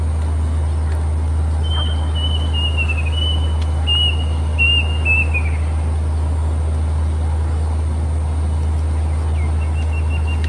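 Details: Plaintive cuckoo, a summer migrant in Hong Kong forest, recorded 1 May 2025 on a Canon EOS R7: a run of thin whistled notes that slide lower and quicken toward the end, over a loud steady low hum.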